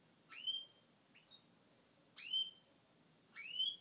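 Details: Pet male Gloucester canary after the moult: sharp rising whistled chirps, three loud ones and a softer short note between, repeated roughly every second in a quiet indoor setting.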